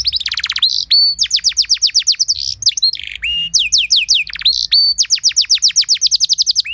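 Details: Canary performing an elaborate training song to spur other canaries; fast rolling trills alternate with runs of sweeping whistles and brief buzzy notes throughout.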